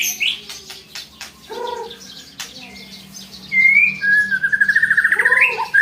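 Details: White-rumped shama giving a challenging song: scattered sharp clicks and a low rising whistle, then a clear high slur and a fast, rising rattling trill ending in a low whistled note.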